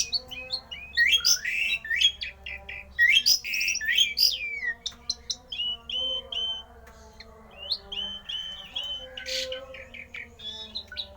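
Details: Javan pied starling giving a rare, unusual song meant to rouse other starlings into singing: dense bursts of harsh chattering notes, whistled slurs and squeaky rising notes, busiest in the first half, over a steady low hum.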